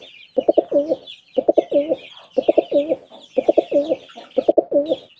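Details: Pigeon coos repeat about once a second, each a burst of short pulses ending in a longer rolling note. Thin high chirping from other birds runs continuously behind it.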